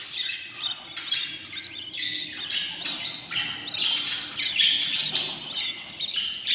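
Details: Baby budgies in a new nest at fourteen days make a steady stream of harsh, scratchy, buzzing cries, each about half a second, tumbling over one another with a few chirps.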